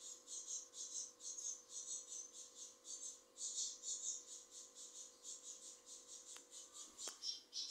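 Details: A caged saffron finch gives high, thin chipping notes about twice a second in a steady string, over a constant low electrical hum, with many chicks outside the cage.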